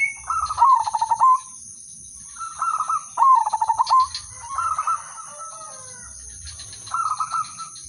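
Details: Melodious zebra dove song, udanmas silver type, played to start other doves singing; rattling cooing phrases of rapid pulses repeat roughly every one to two seconds, with a faint steady high whine behind.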